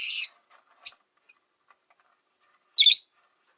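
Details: Rosy-faced lovebirds in a window-side cage with five birds: a buzzy chirp, a thin sharp note, then after a pause a harsher rasping chirp.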